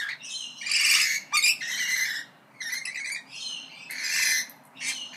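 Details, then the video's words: Several parrots trade hoarse, buzzy calls of moderate volume, some drawn out and others clipped, over a faint steady background hiss. "ΠΑΠΑΓΑΛΟΙ ΣΥΖΗΤΟΥΝ (PARROTS DISCUSSION)"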